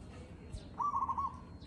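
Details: One zebra dove phrase captured live: a rapid, stuttering, rolling coo lasting about half a second, over quiet low background noise.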